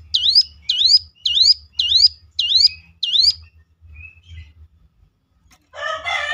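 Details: Ciblek lure song used to make other ciblek answer and sing: six sharp, high, hooked whistled notes repeated about every half second, then a faint short note and a burst of harsh broadband noise at the end.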